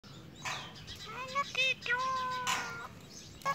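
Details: Pet mynah talking and mimicking, including baby-like crying and laughter: a run of nasal, harmonic-rich syllables with held wavering tones, followed by a person saying "do it".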